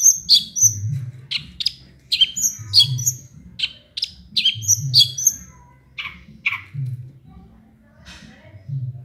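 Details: Small-bird mimicry from a long-tailed shrike: lively high chirps, twitters and clipped whistles tumbling in quick varied phrases, thinning to a few spaced notes near the end, with a low background hum.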